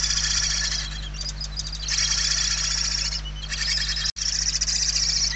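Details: Hungry barn owl young in a nest in Spain, late November 2023: loud continuous wheezing hisses, roughly a second or more each, briefly broken by a quiet dip, over a low constant hum.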